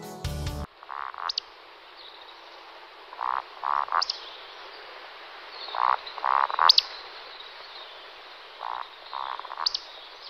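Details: Eurasian woodcock roding during the display flight of two males: groups of two or three low, pulsed croaking grunts, each group capped by a sharp, high squeaky whistle, repeated several times over ten seconds.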